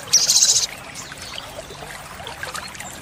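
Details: Olive-backed sunbird (sogon) tutor recording for caged songbirds: one half-second, very high, dense buzzing trill, then quiet background with faint scattered chirps.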